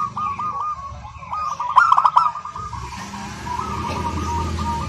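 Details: Local zebra dove singing nonstop in a clear, crystal-like voice: a steady stream of short ringing coos with one loud stuttering click burst near the middle, over a constant low rumble.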